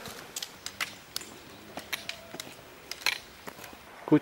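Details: Irregular dry clicks and knocks over a quiet background hum, with no animal voices.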